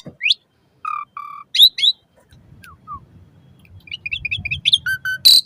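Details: Asian pied starling song for training caged birds to sing, played mornings and evenings: low hoarse double notes, squeaky upslurs, then a busy run of chattering notes and a harsh final burst over faint background rumble.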